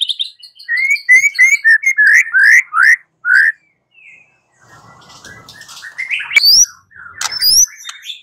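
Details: White-rumped shama song as a lure to make a bird respond: loud slurred whistled notes repeated about every quarter second, a short quiet gap, then varied sharp upslurred phrases.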